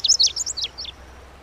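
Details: Brief Lazuli bunting song ending, with several high chirpy slurs, some rising and some dropping, spaced roughly a tenth of a second apart before silence.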